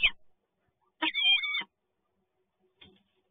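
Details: One drawn-out, grating wail from a peregrine falcon at the PGE Toruń site, 2 January 2021, during a meeting of two birds. It is framed by a clipped fragment at the start and a faint short note near the end.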